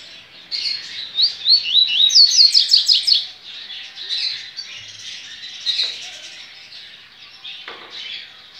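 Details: Captive double-collared seedeater at a licensed breeding facility, Baiano song style, recorded 23 November 2019: a fast run of bright, rising whistled notes with sharp upsweeps, then softer chatter from other caged birds.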